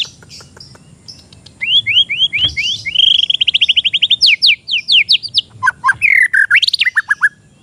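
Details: Untrained oriental magpie-robin singing as a lure: after a quiet start, a loud, fast series of repeated high whistled notes and trills, shifting between several note types, with sweeping slurred whistles near the end.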